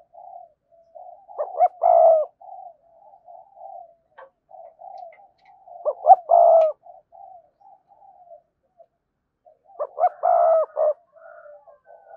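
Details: Spotted dove cooing in a recording used to lure wild doves: three loud phrases about four seconds apart, each two short clipped notes and a longer hoarse coo, with soft low murmuring coos between.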